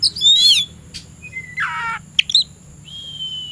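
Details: Oriental magpie-robin, kept as a songbird in the afternoon and said to be ready to fight a rival, giving loud buzzy slurred phrases, a thin whistled note and sharp chips separated by short pauses.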